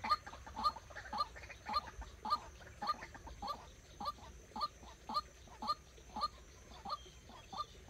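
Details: White-breasted waterhen serving as a trapping decoy calls steadily: rough, honking notes with a sharp edge, repeated at a brisk, regular pace of about two per second, around fourteen notes in a row.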